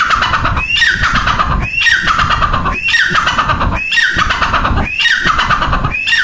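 A female grey francolin gives a harsh, squawking call, repeated about once a second with a sharp rising note in each phrase, over a low rumbling background.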